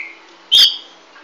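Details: Green-winged saltator (golden-throated form) gives one loud, ringing whistled note lasting about a fifth of a second, against a faint steady hiss.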